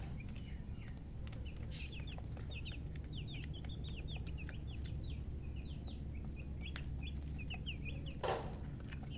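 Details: Colour chickens chirping steadily: dense overlapping high peeps over several seconds, a brief rustle near the end, and an unbroken low hum behind.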